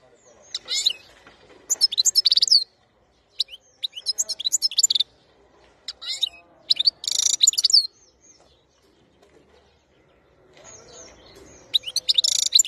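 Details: European goldfinch described as wild-type (khalawi), recorded in 2021, singing in repeated bursts of rapid, high, tinkling twitters and buzzy trills. The phrases are separated by short pauses, with faint low background hum.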